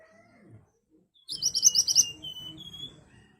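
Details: Ashy tailorbird singing loudly and sharply, a song used as a lure to make other birds answer: one burst of about eight rapid, high, piercing notes with faint thin whistles before and after, and a low rumble beneath.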